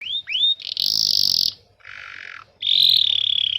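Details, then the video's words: Canary training song, used to coax young canaries into learning and to restart birds that have stopped singing: two quick rising whistles, then a loud buzzy roll, a softer lower buzz, and a final sustained trilled phrase. "Suara burung kenari gacor Pancingan kenari paud kenari macet bunnyi"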